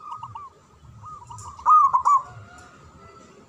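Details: A local caged zebra dove sings. Quiet rolled coos give way to a loud, trilled, bubbling phrase in the middle, then soft cooing resumes.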